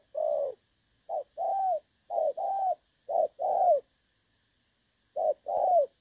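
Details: Spotted dove used as a trapping decoy, calling in the clear 'dong son' style on 16 August 2024: mellow two-part coos, a brief note then a longer rounded one, with uneven pauses, including a longer gap before the final pair.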